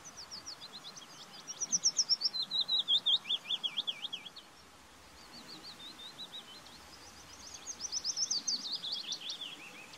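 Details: Willow warbler singing: two soft, sweet descending phrases of rapid repeated notes, each falling in pitch through the run, the first louder, separated by a brief pause, over faint background hiss.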